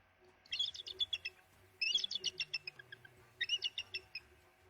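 Bald eagle giving three bursts of thin, high, squeaky chirps, each a quick chattering run of notes about a second long, with a faint low hum beneath.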